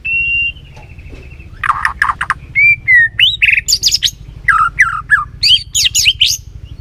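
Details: Lure recording of white-rumped shama song meant to excite another bird: a steady high whistle, harsh scratchy bursts, then mixed clear whistles, buzzy notes and sharp rising sweeps, over a constant low hum.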